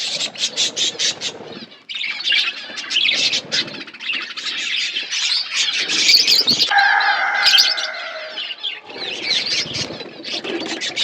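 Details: A budgerigar flock chirps while eating: rapid bursts of high twittering and scratchy chatter, a short lull near two seconds, then a louder stretch with a drawn-out nasal squawk and fluttering wings.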